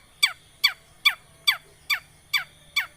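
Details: Long-tailed shrike lure recording with a regular series of short downslurred harsh notes, about two per second, evenly spaced, over a faint steady high hum.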